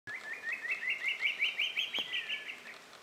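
Fork-tailed drongo-cuckoo giving a quick run of about a dozen clear whistled notes that climb steadily in pitch, then ease down at the end.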